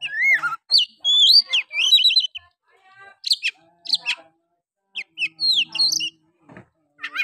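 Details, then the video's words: Oriental magpie-robin singing a harsh, forceful style to provoke other males and stir reluctant birds to sing: bursts of varied clear whistles, rising and falling slurs and sharp notes, separated by short pauses. "Pancingan Kacer malas bunyi. bangkitkan emosi Kacer lain"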